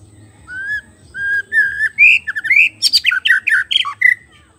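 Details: White-rumped shama singing as a lure for wild birds: clear slurred whistles rising in pitch, then a rapid loud run of varied piercing notes and trills, strong and close.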